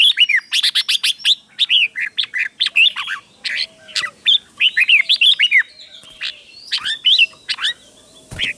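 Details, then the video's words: Red-whiskered bulbul in a cage, a slow, clear 'double' singer meant for young birds to copy; lively sequences of loud warbled whistles, rising and falling slurs delivered in quick succession, faint background tones between phrases. "นกกรงหัวจุกเบิ้ล 1000000% สอนลูกนก ก็อปติดง่าย"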